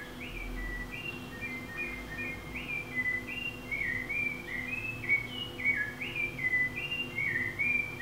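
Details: A thrush recorded in a studio at 5:26 am sings its monotonous song: a steady string of clear whistled phrases, each slurring up or down, about two per second, over a low steady hum.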